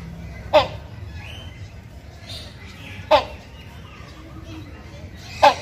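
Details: Loud mating call of a male hornbill to a female: three sharp, harsh bursts roughly two and a half seconds apart, with faint chirps and low rumble between them.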